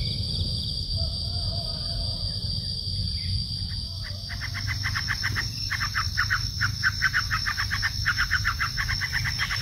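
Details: Bar-winged prinia (ciblek) described as lively, singing a rapid series of short buzzy, chattering notes repeated steadily from midway on, over a constant high insect drone and low rumbling background noise.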